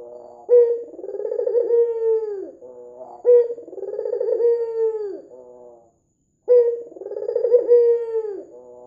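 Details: White dove with red eyes calling persistently as a lure: three repeated phrases, each a sharp start, a throaty trembling coo and a long steady tone sliding down, separated by soft low murmurs and a brief silence.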